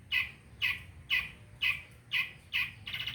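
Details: Pentet, the long-tailed shrike, used to prompt birds that have stopped singing: sharp harsh notes repeated about twice a second, six in a row, ending in a buzzier rasp.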